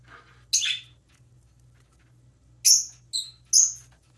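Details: Baby pet parrotlet chirping while preening, giving one harsh high chirp followed after a pause by three bright, clipped chirps close together over a faint steady hum.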